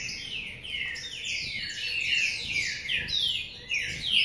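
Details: A Green-winged saltator of the Paraná type, singing from a covered cage, gives a rich, continuous run of loud slurred whistles, many sweeping downward, delivered rapidly without pause.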